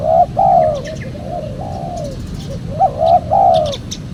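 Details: Spotted dove cooing used as a lure for trapping wild birds. Two loud coos open the clip, softer drawn-out notes follow, then another pair of strong coos, with a few faint high chirps in the background.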